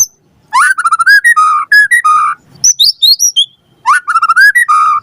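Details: Murai batu, the white-rumped shama, singing a lure song to draw a reply: a rising whistle followed by rapid stuttering notes, repeated twice, with a sweeping high phrase between.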